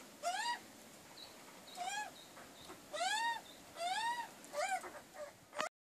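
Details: Arched, whining nasal calls from a magpie family that regularly came to a backyard wood heap for breakfast, repeated every second or so over a quiet hiss.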